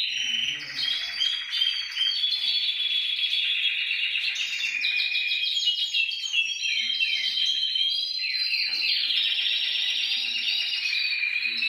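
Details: Continuous canary song meant to prompt other canaries to sing, a long unbroken stream of fast rolls, chattering notes and bright whistled tours shifting between phrases over nearly twelve seconds.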